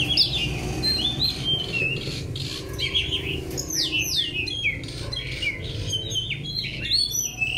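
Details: A white-rumped shama in a training session sings a fast, varied run of high whistled phrases with sharp downward-slurred notes and chatters, over a steady low indoor hum.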